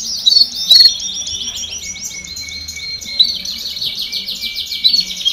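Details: Canary chorus ('baderna') played to get young birds singing sooner: fast rolling trills and whistled notes overlap steadily, with brief louder chirps near the start and end.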